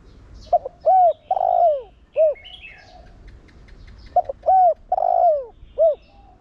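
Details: Spotted dove 'Thổ Đồng' voice cooing, a decoy call to get other doves cooing: two repeated phrases of quick notes, mellow coos and a long falling coo, with light chirps from other birds between.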